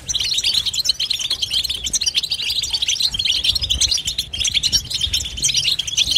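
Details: European goldfinch twittering without silence, a busy continuous jingle of sharp high chirps and rippling trills layered densely, steady throughout with low background noise.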